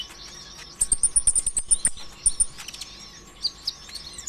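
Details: Sunbird singing as a lure for other birds: a fast string of very high thin trilled notes, then scattered squeaky chirps and clicks, over a faint constant electrical hum.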